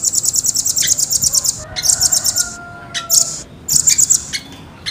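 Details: Velvet-fronted nuthatch (rambatan) delivering a quick, tight trill of high chips, then shorter bursts after a pause.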